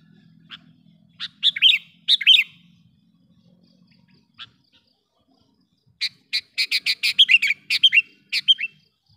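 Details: Sooty-headed bulbul lure calling to attract wild bulbuls: scattered sharp chirps and bubbly doublets, then after a pause a dense run of rapid, lively notes. A faint low hum sits underneath the first half.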